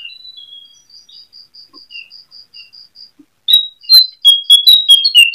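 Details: Lesser shortwing song played as a night-time lure to make other birds sing and raise breeding mood. Soft, thin, evenly repeated high pips lead into a sudden loud burst of rich warbled and slurred whistles.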